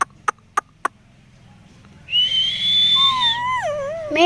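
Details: A talking rose-ringed parakeet at the Mirpur 1 bird market, Dhaka, Bangladesh, 20 November 2023: three sharp clicks, then a high, strained, voice-like whistle sliding down into a lower, warbling tone.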